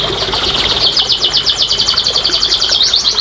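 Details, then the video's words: Canary song for encouraging quiet canaries: a continuous rapid buzzy trill of tightly repeated notes, pulsing evenly at a high pitch for the whole stretch. "TERAPI & PANCINGAN BURUNG KENARI MALAS BUNYI"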